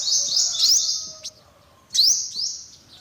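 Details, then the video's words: Olive-backed sunbird giving thin, very high buzzy trills with quick upward-sweeping notes in two bursts, separated by a near-silent pause and a single sharp click. "tiếng chim hút mật 5 màu bụng vàng"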